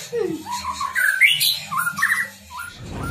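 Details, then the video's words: ['Captive-bred white-rumped shama from Tambakromo, Pati, Central Java, in full song: varied mid-pitched whistles and chattering notes, with a low background hum and noise.'] "Murai batu gacor ll full isian lur"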